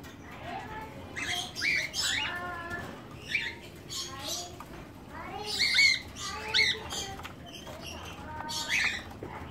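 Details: Captive pair of cockatiels, a newly paired male and female, during their first mating, giving repeated squeaky rising chirps and harsh chattering notes in quick bursts amid steady background noise.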